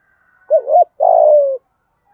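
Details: One phrase from a decoy spotted dove with a 'giọng thổ' voice: a wavering two-part coo, then a long, steady coo that falls slightly at the end. Faint whistling tone in the background.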